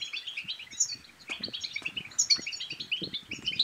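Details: Goldfinch in full twittering song, used to encourage another goldfinch to sing and mate: rapid high trills and bright chirps flowing nonstop, with a few light low taps.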